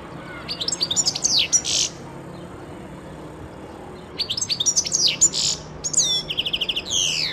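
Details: Song of a European goldfinch from 2011, delivered in two lively bursts of tinkling, high-pitched twitters mixed with buzzy rattles and slurred descending whistles, separated by a pause of roughly two seconds.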